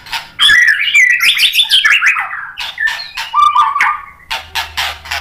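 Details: White-rumped shama singing to provoke rival shamas: a fast jumble of chattering notes sliding downward, then clear whistled tones held and repeated, ending in short sharp clicks.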